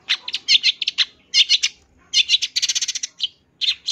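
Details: Full isian song from a champion long-tailed shrike: rapid bursts of harsh chattering notes in quick runs, broken by short pauses, with a dense stuttering stretch near the end.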